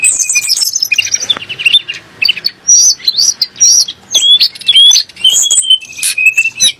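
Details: Sunda blue robin, or tledek gunung, singing a song meant to anger kacer and muri birds. Scratchy high chatter, then spaced sharp whistles and upswept notes in short clusters.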